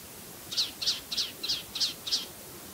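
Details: A male Palestine sunbird at Tanomah, Asir region, Saudi Arabia, gives six sharp, high chips, evenly spaced about three per second, against a quiet background.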